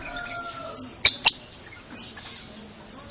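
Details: Oriental magpie-robin giving an unusual sound: short high whistled notes held briefly, interrupted by sharp loud clicking snaps, with a faint lower whistled tone at the start.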